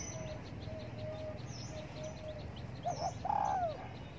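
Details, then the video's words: Morning sunbathing spotted dove. Faint low tonal notes come first, then a short two-part coo and a louder drawn-out descending croo near the end. "Cu Đất Gáy Gù Phơi Nắng Sáng"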